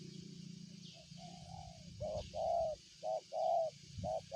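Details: Spotted dove calling: a faint drawn-out coo leads into loud hollow coo notes, short then longer, in a rhythmic phrase; high insect buzzing and low rumble persist behind.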